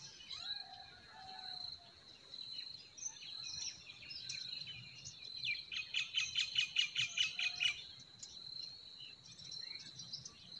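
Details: Forest birds singing in spring: scattered high chirps, then a rapid, rhythmic trill of a dozen or so bright notes lasting about two seconds, against a steady shrill background tone.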